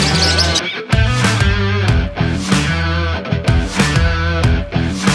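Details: Loud rock music with a distorted guitar, heavy bass and drums plays throughout, with no animal sound.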